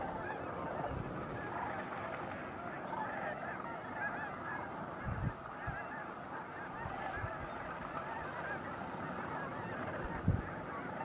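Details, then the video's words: Massed snow geese calling at dawn or dusk at Bosque del Apache National Wildlife Refuge, December 12–13, 2009: continuous layered honks and yelps from many birds, with occasional low thuds and a short hiss near the middle. "Snow Geese Sunset and Sunrise"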